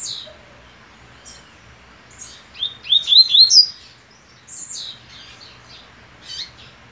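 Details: Caged male double-collared seedeater on the eve of a major singing competition, checking his cage perches while his mate nests beside him; bright, high chirped and slurred notes rise into a quick burst of sweet, rapid trills, then scattered chips.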